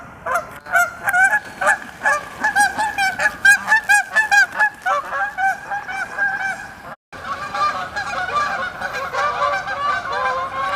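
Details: Flock of Canada geese honking while taking flight, rapid rhythmic honks about two per second building into a continuous overlapping chorus after a short gap.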